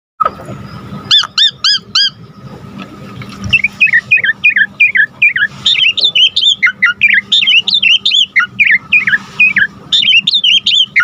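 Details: Asian pied starling (Jalak Suren) in vigorous, filler-rich song used to lure and tutor other birds: a run of four identical arched whistles, then a rapid, varied string of chirps and slurred whistled notes. A low steady hum runs underneath.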